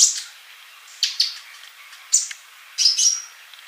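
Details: Male sunbird, used as a tutor for silent young birds, gives sparse high chirps and a few short piercing whistles separated by about a second of quiet.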